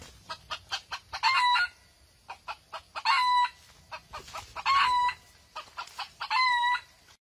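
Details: Red junglefowl being trapped, recorded 6 March 2020: loud short crows at about 1.2, 3.1, 4.7 and 6.3 seconds, each ending in a held steady note. Before each crow comes a run of sharp clucks.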